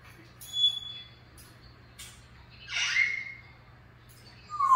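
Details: African grey parrot giving clear pure whistles, including a high steady tone, then a harsh broadband squawk with a bright whistled sweep near the middle, ending in a loud low-pitched whistle; a faint steady hum underneath.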